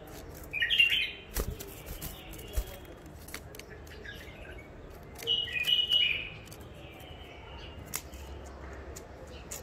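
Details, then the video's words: Freshly caged wild bulbul from Mandali, an old catch, sings two faint, separate warbled phrases several seconds apart, with soft clicks and low room noise between them. "بلابل وحشيات خامات كاع منفذ مندلي لسانات روعه"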